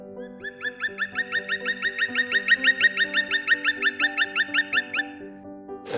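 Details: A black woodpecker in the Baden-Baden city forest gives a long, even series of ringing, slightly rising 'kwee' notes, about three per second for five seconds, over soft background music.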